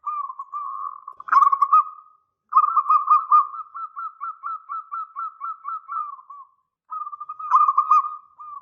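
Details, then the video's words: Local zebra dove singing strongly, its big voice used as a lure to prompt an answering call. Long runs of quick pulsed coos hold an even pitch. The middle phrase is a four-second string of evenly spaced beats. "Perkutut lokal GACOR suara besar"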